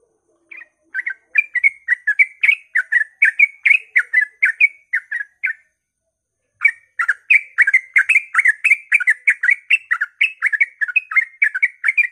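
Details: Yellow-vented bulbul singing its rapid 'ropel' song at dawn, used to provoke other bulbuls into singing: dense bubbly whistled chatter of quick rising and falling notes, a brief pause near the middle, then the fast run resumes.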